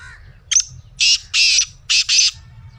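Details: Black francolin call meant to prompt a caged francolin to call: a short clicking double note, then a harsh grating phrase of four loud buzzy bursts in two pairs, with a low hum throughout.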